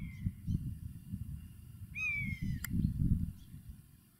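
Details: Common buzzard in flight, calling for a mate: one drawn-out, downward-slurring mewing whistle over heavy low wind rumble.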